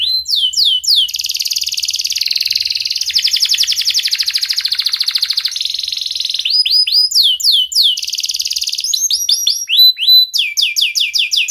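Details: Sharp-voiced canary song for prompting lazy, mute canaries to sing: repeated descending whistled sweeps, long fast rattling trills and rolling phrases, continuous, bright and loud from start to end.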